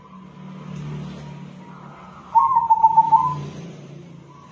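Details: Zebra dove, a local crossbred bird valued for its soft voice, delivering one rolling, pulsed coo of under a second amid a steady low hum of background noise.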